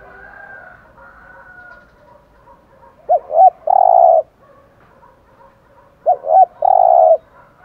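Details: Spotted dove's low 'giọng thổ' cooing, used to spur decoy doves to coo. Faint hum and soft tones first, then two phrases three seconds apart, each a pair of quick warbled notes followed by a long sustained coo.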